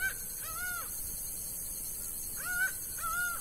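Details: In Bahia's sertão, a laughing falcon gives repeated nasal, slightly rising-then-falling calls, two pairs of notes separated by a pause of over a second, over a constant high background hiss.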